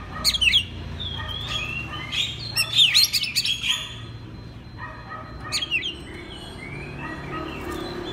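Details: Oriental magpie-robin singing on a training recording for other magpie-robins: clusters of sharp scratchy notes mixed with sweet whistled phrases, loud bursts separated by softer gliding whistles.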